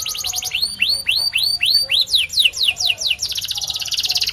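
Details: White canary song: a quick trill gives way to slow rising whistled swoops, about five in a row. Sharper falling notes follow, and the song closes with a fast, dense, buzzy trill.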